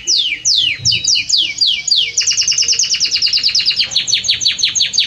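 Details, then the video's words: Strong, warm song of a Belgian canary: several falling whistled sweeps give way to a long, rapid, rhythmic trill of sharp repeated notes. "Canto forte e muito quente deste Espetacular Canário Belga | Canary Singing"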